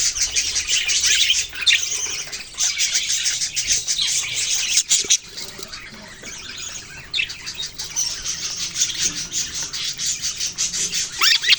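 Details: Many budgerigars chattering in bursts of bright, raspy chirps and trills, quieter for about two seconds midway before the busy twittering swells again, with a few sharp clicks.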